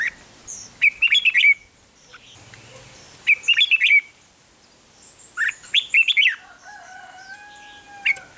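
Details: Red-whiskered bulbul in Thailand, its song used to rouse caged birds: short bursts of rapid liquid chirps repeated about every two to three seconds, with a thin drawn-out whistle from another bird near the end.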